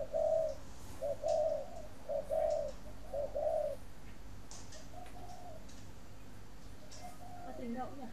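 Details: Captive spotted dove at a Vietnamese dove farm near Hanoi, a breeding bird, gives four loud low coos in close succession, each about a second apart, then fainter coo phrases trail off as background sounds continue.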